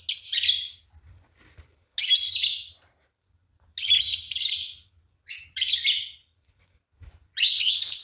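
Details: A pair of green Fischer's lovebirds chirping: harsh, buzzy bursts high in pitch, each lasting about half a second to a second, repeated roughly every one to two seconds with short silences between, faint low rumble beneath.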